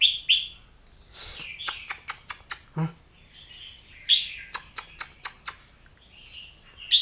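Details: Oriental magpie-robin song of piercing whistled notes and warbles, interrupted by a burst of broadband noise and series of sharp clicks in between phrases.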